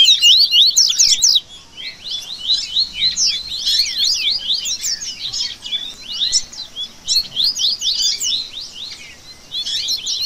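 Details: Overlapping song of several rusty-collared seedeaters, a 'baderna' for warming up a caged bird's singing; busy, high, chattering trills and slurred notes in loud bursts with short gaps.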